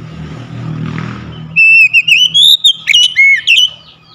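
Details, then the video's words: Household Oriental magpie-robin: a faint low hum, then a sudden loud sequence of rising and falling whistles, several notes repeated rapidly over about two seconds. "memulihkan Kacer rumahan macet bunyi langsung gacor"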